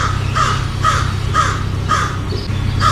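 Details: American crow giving harsh, hoarse caws, about two per second in a steady series, over a low rumbling hum.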